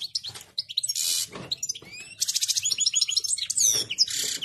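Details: European goldfinch singing in a highly excited state, likely indoors: rapid twittering phrases of high tinkling notes, buzzy trills and quick upslurred whistles, with dense bursts around one second and a continuous jumble from two seconds on.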